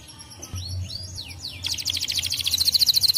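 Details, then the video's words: Canary song intended to stimulate other canaries to sing: a few high, clear down-slurred whistles, then a fast, buzzy trill that grows louder and steadier toward the end, over a faint low hum. "bom canário !!! uma vez que vire o som canário diretamente !!"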